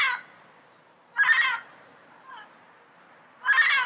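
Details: Wild yellow-headed parrot giving harsh, raspy squawks, a short one at the start and two loud half-second screeches about two seconds apart, with a faint call between them.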